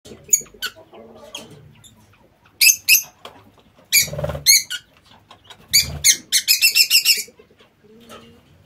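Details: Lovebirds kept in an aviary, giving shrill, high-pitched chirps in short bursts, with a rapid run of repeated squeaks near the end and a faint low hum in the background.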